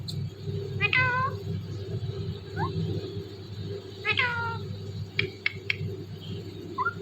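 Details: Talking rose-ringed parakeet, a green ringneck parrot, saying "Mithu Mithu": two short voice-like, harmonic syllable bursts a few seconds apart, then a few sharp clicks, over a steady low hum with faint music.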